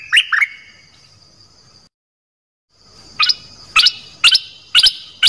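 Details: Dok taeng bird, song played to coach young birds and excite them: two quick slurred chirps, a gap, then crisp high chip notes repeated roughly every half second.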